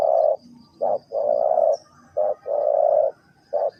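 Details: Cooing spotted dove from Ninh Thuận, Vietnam, three-coo hanging style: mellow low coos alternating short and long in a repeating phrase, a faint rumble beneath.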